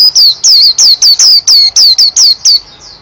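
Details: White-eye singing vigorously: a rapid series of about ten loud, high, down-slurred whistled notes evenly spaced, then a softer trailing phrase at the end.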